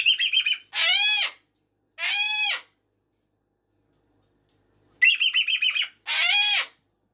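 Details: Cockatoo indoors at 5:15 in the morning or evening alternating quick staccato chatter bursts with long harsh screams, the pattern of chatter then two screams repeating after a short silence.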